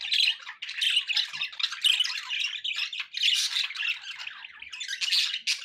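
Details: Domestic budgerigars in a flock chatter and squawk nonstop, high scratchy notes and quick chirps piling up in pulsing bursts, meant as relaxing background sound.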